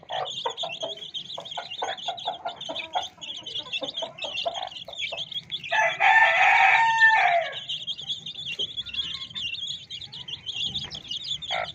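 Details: Colored chicks of domestic chicken peep constantly in a high, shrill chorus, broken by quick low clucks and, midway, a loud rooster crow of about one and a half seconds.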